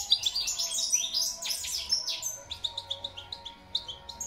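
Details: Goldfinch song opens with a jumbled burst of bright, liquid twitters, then changes to a rapid, regular series of short, dry tick notes, several per second, over a light background hum.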